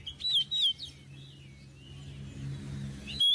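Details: Oriental magpie-robin singing, offered as a master song for tutoring untrained magpie-robins; a burst of sharp, slurred whistles opens, a softer wavering whistle follows, and a loud whistle closes, over a low steady hum.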